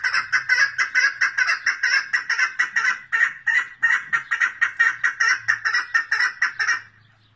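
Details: Female chukar partridge giving a rapid, steady series of harsh clucking notes, about four per second, running for nearly seven seconds before stopping abruptly; a faint low hum sits underneath.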